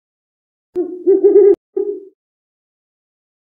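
An owl gives low, wavering hoots, a longer quavering note followed by a shorter one.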